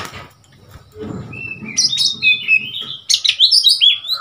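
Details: Oriental magpie-robin in Thailand, a wild bird visiting a cage, gives a bright, varied song. Quiet low rumbling comes first, then rapid high chirps, slurred whistles and short trilled notes in quick succession.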